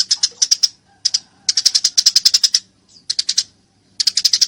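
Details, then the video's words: Eurasian tree sparrow fighting, with a clear voice: clusters of rapid, high, clipped chirps in bursts of three to nine, separated by pauses of about half a second, plus a few faint lower notes. "masteran burung gereja tarung gacor suara jernih"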